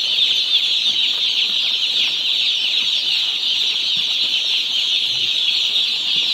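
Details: Poultry-farm chicks just one day old peep constantly, many high thin voices merging into a dense, steady chorus.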